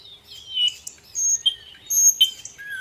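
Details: Little pied flycatcher (sikatan londo) in full gacor song, a dense tembakan style with varied fill-ins: high clear whistles, some sliding downward, given in short separate phrases with pauses between them.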